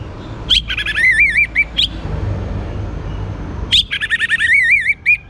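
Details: Young orange-headed thrush singing to draw out other birds: rich warbled phrases of wavering, trilled whistles in two long bursts separated by a pause, over a low rumbling background.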